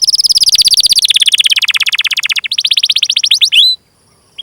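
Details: Canary song for luring and training young or silent canaries: a dense, fast, high rolling trill gradually drops in pitch, then breaks into quicker chirps before a short pause and one last note.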